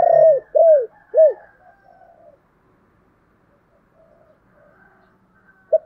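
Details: Decoy spotted dove calling to lure wild doves: three loud, low cooing notes, each rising then falling, in quick succession, followed by faint softer sounds and a short final coo.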